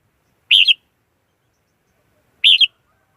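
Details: Two bright, rolling warbled phrases from a red-whiskered bulbul, each short and slightly downward-ending, spaced about two seconds apart with silence between.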